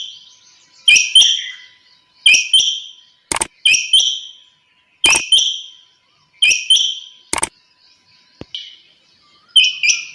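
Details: A female quail gives short, high, slightly buzzy double notes, repeated every second or two, with sharp dry clicks between the calls, early in the morning.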